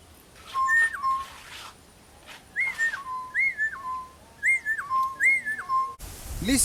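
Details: A pair of East Coast boubous calling from a tree in bush near Kilifi, Kenya, in the early morning: a repeated clear whistled two-part note, high then dropping, given about four times, with faint chirps from other birds.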